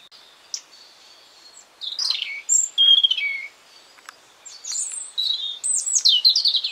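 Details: Springtime garden song of a European robin: sweet high warbled phrases with descending slurs and sharp thin whistles, separated by brief quiet gaps, ending in a cascade of falling, tumbling notes.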